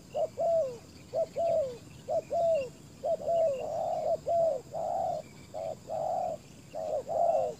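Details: Ground decoy spotted dove calling to draw in wild doves. Rapid, regular two-note coos, about one per second: a short note, then a longer one, the early ones sliding down and later ones flatter and steadier. Faint distant chirps.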